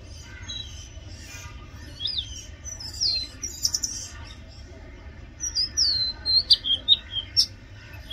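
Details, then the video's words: Loud song of an Oriental magpie-robin, a sequence of clear high whistles with rising and falling sweeps, delivered in quick runs after a quiet opening, over a faint low hum. "Oriental magpie robin Song | Oriental magpie-robin Sound | Oriental magpie-robin Call"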